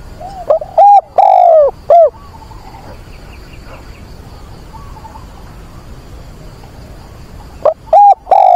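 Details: A decoy dove calls to find a mate on 24 September in wind and rain, giving loud, mellow coos in quick groups of three or four, then a pause and another burst, over a soft hiss of wind and rain.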